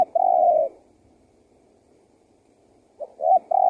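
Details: Spotted dove calling, a recording used as a lure to draw wild doves in and set other doves calling; one long, steady low coo at the start, then a short double note leading into another drawn-out coo at the end, in quiet surroundings.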